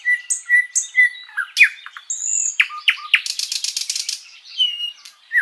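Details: Sikatan londo flycatcher singing long and continuously as a tutor recording for pet birds: clear whistled notes near the start, then sharp downslurred chips and a dense buzzy rattle, ending with short whistles.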